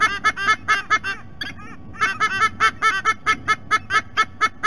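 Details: Nest-camera recording of adult White-bellied sea eagles at Sydney Olympic Park, Australia: dense, overlapping honking calls at a fast pace, a brief lull near the middle, then a steady series of regular, nasal kank notes.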